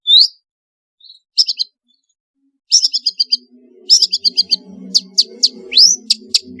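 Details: Long-tailed shrike song with varied fill-in notes, used as a lure for lazy shrikes; short bursts of rapid chattering notes and upslurred whistles separated by pauses, over a faint low hum.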